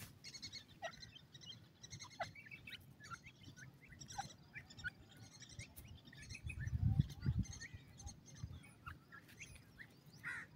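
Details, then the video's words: Partridge chicks, called Kashmiri teetar, playing: many thin, high chirps and short upslurred peeps overlap in quick, irregular bursts, about two or three per second, over steady low rumble and occasional soft thuds. "kasmeri teetar ke awaz"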